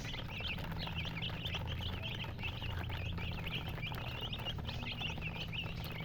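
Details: Domestic chicks, colored, chirping together in a flock: rapid bursts of thin, high peeps in uneven clusters, backed by a droning low hum.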